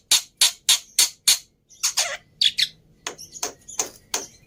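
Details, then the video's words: Black-winged myna lure and tutor song: five evenly spaced harsh rasps, then grating squawky notes and softer scratchy chips. "Pancingan Plus Masteran Burung Jalak Putih full Isian Mudah Di Tiru"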